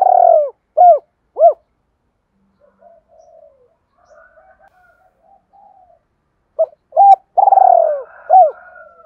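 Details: Lure cooing of a spotted dove in the double-coo style meant to attract other doves: three soft hooting notes, a stretch of faint low murmuring, then a five-note phrase mixing short coos and one long falling note.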